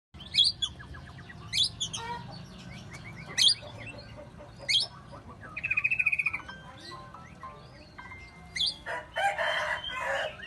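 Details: Oriental magpie-robin (kacer) singing vigorously while spreading its tail: varied bursts of sharp whistled and chattering notes, a rapid rasping rolled phrase near the middle, then harsher buzzy scratchy notes toward the end.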